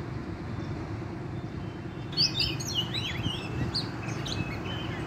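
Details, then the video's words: Oriental magpie-robin, wild forest bird, breaks in after two seconds of quiet with a lively run of looping whistles and quick sharp notes, continuing to the end over low background noise. "chích chòe than bổi rừng hót rất sung"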